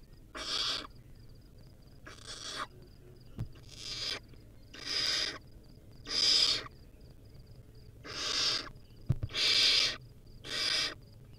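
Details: Wild barn owlet in a nest, feeding on a rodent, repeats about eight short raspy screeching hisses at irregular intervals, with a couple of sharp knocks and faint high ticking.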